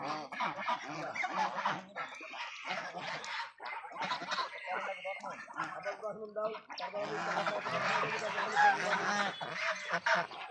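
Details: Several farmed Raj ducks honk in rough, nasal bursts, some phrases spaced by short pauses, then a long stretch of dense, continuous calling from the flock toward the end.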